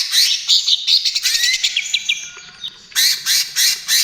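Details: Trotol-style song of a greater green leafbird, meant as a lure and therapy for other birds: dense scratchy chatter, a series of rising whistled slurs, then three loud harsh bursts.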